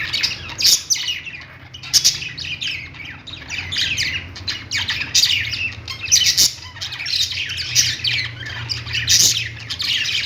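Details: Busy chatter of playing parakeets: high chirps and rasping squawks layered together, with occasional louder sharp calls and a steady faint hum.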